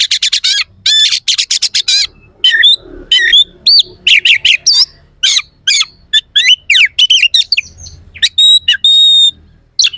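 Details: Oriental magpie-robin singing rough, sharp contest-style phrases meant to excite rival kacer: rapid runs of clipped chirps, rasping notes and sliding whistles, ending with a few clear, pure whistled tones.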